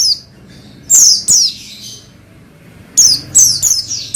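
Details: Oriental white-eye (pleci) twittering to trigger song in another pleci: one thin note, a pause, a pair of bright falling chirps, a longer silence, then a quick cluster of four sharp descending chirps.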